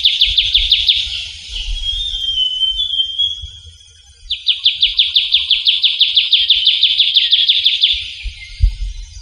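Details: Trilling shrike-babbler (Pteruthius aenobarbus), a rare bird of Java's forests, recorded in the wild: a fast, dry trill of rapidly repeated high notes, a thin steady whistle, then a longer trill running about four seconds, over a low rumble.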